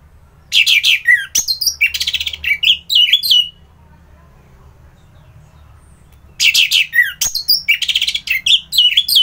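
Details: Orange-headed thrush singing in Bali, Singaraja: dense, varied chattering and whistled bursts lasting about three seconds, a long quiet gap, then another rich burst of mixed notes.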